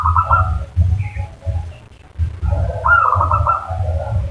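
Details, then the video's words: Zebra dove coo used as a lure to draw a reply from another bird: a trilled, stuttering phrase at the start, then a longer rolling coo with clustered notes, over a low droning background. "pancingan perkutut 5 detik langsung nyaut"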